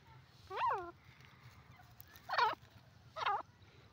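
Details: Grey francolin, male, giving three loud, shrill, harmonic call notes, each a sharp quavering burst about a quarter second long, spaced roughly one to two seconds apart over a low background hum.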